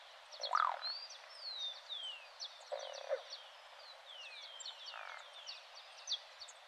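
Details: A croaking ground dove (Columbina cruziana) sings three short, harsh, rasping croaks, one about every two seconds, over a steady chorus of thin, high, falling whistles from other small birds.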